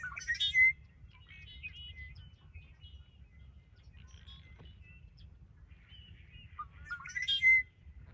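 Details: Red-winged blackbird at Ridgefield National Wildlife Refuge, 20 February 2025: two songs about seven seconds apart, each opening with rising clipped notes, then a loud buzzy rattling burst and a thin high whistle, with soft chips between and low rumble throughout.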